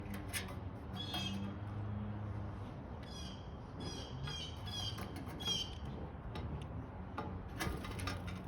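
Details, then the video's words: Blue jays give harsh, scratchy squawks in short bursts every second or two, over a steady low rumble of background noise. "Blue jays"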